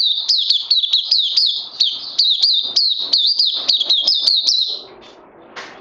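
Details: Caged oriental white-eye recorded 31 May 2020 gives a quick run of high, thin chirping notes, roughly two or three per second, ending abruptly followed by quiet background rustling.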